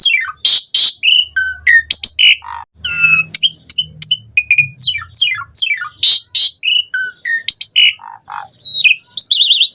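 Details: Asian pied starling song used as a lure to get other starlings singing: a loud, varied, rich medley of sharp whistles, rising and falling slurred notes and harsh chattering phrases delivered in rapid succession without pause.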